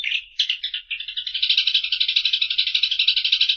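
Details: Eurasian tree sparrow chattering: a couple of brief chirps lead straight into a rapid, dry, buzzing rattle that runs on without a break.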